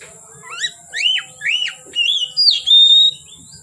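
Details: Oriental magpie-robin song from afternoon until dark: a series of upslurred, arching whistles repeated about every half second, ending in a long, steady high whistled note.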